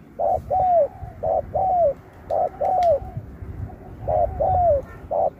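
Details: Contest spotted dove from 2024 performing the 'Thúc kèm Bo' song style: loud two-part coos, a brief clipped note followed by a drawn-out falling coo, repeated roughly every second over low background rumble.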